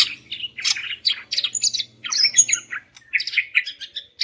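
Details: Female greater green leafbird calling males: a dense, continuous twittering and chattering song of high notes with squeaky whistles, above a low faint hum.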